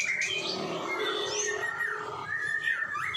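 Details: Cage-bird tutor song of a white-rumped shama, 'epek sauna kering' style: clear whistled notes, long gliding slurs sweeping down and up, a sustained low whistle and a few sharp high chirps, steady and loud throughout.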